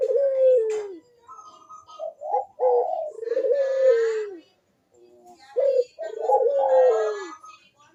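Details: Barbary dove cooing strongly in manggung fashion, used as a lure for lazy callers: repeated 'kuk deruk' phrases, each with a long, mellow, sliding coo and brief guttural notes. There are breathy rustles between the phrases.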